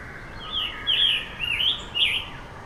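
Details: Scarlet tanager sitting in a tree sings four short, hoarse, burry phrases in quick succession, each slurring up and down, with light background hiss.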